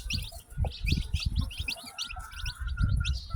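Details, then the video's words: A batch of freshly hatched chicks chirps busily with short, bright, high peeps overlapping in a steady stream, accompanied by soft low thumps and bumps close by. "Baby Chicks Chirping Sounds"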